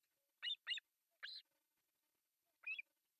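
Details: Faint, high-pitched squeals from osprey chicks begging at breakfast feeding on a nest in Pohjois Satakunta, Finland, July 1, 2024: two quick calls, a longer one, then a last squeak after a pause.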